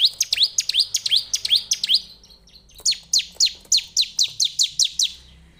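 A Bar-winged prinia sings two bursts of sharp, high chirps, about four a second, each note swooping down then up, with a brief pause between bursts.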